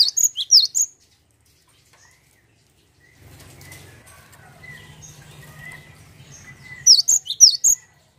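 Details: Cinereous tit song used as a lure to get other birds singing: quick bursts of high, sharp chirping notes at the start and end, separated by a long near-silent gap with a faint low hum.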